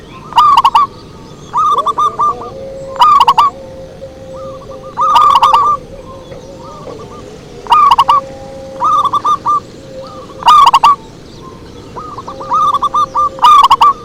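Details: Zebra dove pikat song used for luring: loud rolling coo phrases repeating every couple of seconds, interleaved with quieter echoing phrases of clipped notes, and a faint sustained tone running underneath.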